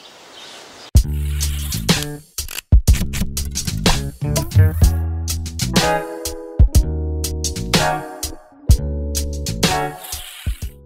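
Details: Electronic music with a drum machine beat, deep bass and plucked guitar notes, with no animal sounds.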